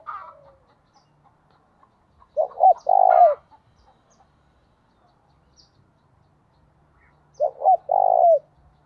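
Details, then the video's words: Lure spotted dove sounding gáy thúc and gáy gọi calls meant to attract wild doves. Two strong phrases of two short coos and one long rolling coo are separated by about five seconds of near quiet. "Tiếng Chim Cu Gáy Thúc + Gáy Gọi Dùng Kích Bổi"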